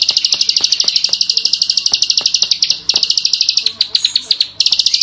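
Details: Lively klik-klik bird in full song: a quick, high, buzzing chatter of closely packed notes. It falters midway into uneven fragments with a few higher squeaky notes, then resumes.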